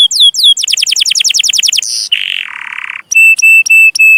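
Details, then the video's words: Domestic canary song used as a master recording for training young canaries, with long chirping phrases: rapid falling notes, a fast trill, a buzzy lower rattle, then clear repeated whistles with a higher ringing tone. "Kenari Gacor Cuit Cuit Panjang || sangat cocok buat masteran burung kenari paud"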